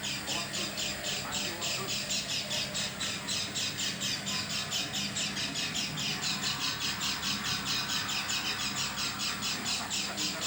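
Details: Unusual calling from an oriental white-eye, said to sound unlike its usual voice: a long steady run of harsh, hissing high squawks, about two per second, over a faint constant hum.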